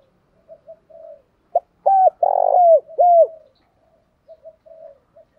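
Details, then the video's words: Spotted dove decoy used daily to draw wild doves in: soft short coos, then a loud phrase of a clipped note, two falling coos, a drawn-out buzzy coo and another falling coo, ending in quiet murmurs. "tiếng chim cu gáy mồi dùng kích bổi hàng ngày hiệu quả/ thúc & gáy gọi"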